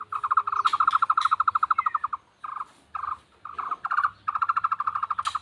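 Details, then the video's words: Frog-like call of the tohtor bird: a fast, croaking, mid-pitched pulsed rattle given in several short bursts separated by brief pauses, the first burst longest. "burung tohtor suara mirip kodok"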